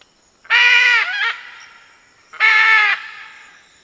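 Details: Red-and-green macaw, a large parrot; two loud raspy screeches about two seconds apart, each harsh and broad, the first with a short broken tail, echoing faintly in a quiet place.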